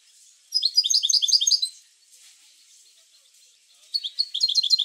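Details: European goldfinch song intended to encourage goldfinches to sing: after a brief quiet start, a second-long burst of quick, high twittering notes, a soft pause, then another bright rapid phrase beginning near the end.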